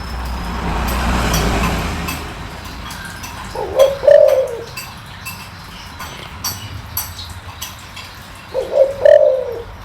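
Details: A spotted dove with a low, deep voice calls to stimulate newly trapped doves. After a rumbling start, two mellow coo phrases come about five seconds apart, each a quick note then a drawn-out throaty coo.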